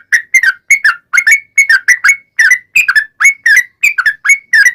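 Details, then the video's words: Vigorous 'ropel' singing of a sooty-headed bulbul, intended to provoke other birds to answer: paired rich whistles, each sliding up or down, repeated about twice a second without a break. "SUARA trucukan gacor ROPEL PANJANG"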